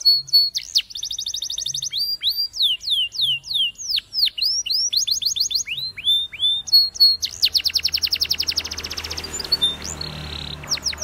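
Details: Spanish Timbrado canary training song: a varied mix of looping whistles and clicking notes, then a long, fast, even roll of repeated notes, overlaid at the end by a soft hiss.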